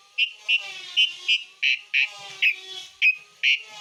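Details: Asian pied starling, besetan material: a single strong whistled note repeated roughly every third of a second at uneven intervals, with a low background hum.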